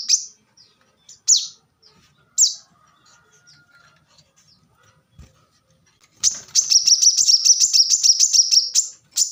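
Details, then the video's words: Plain-throated sunbird, or kolibri manggar. Several scattered high chips and a faint thin whistle come first, then a long, fast, shrill trill of closely packed notes starts after six seconds. "kolibri kelapa | manggar | wiceh | korlap gacor tembakan rapat"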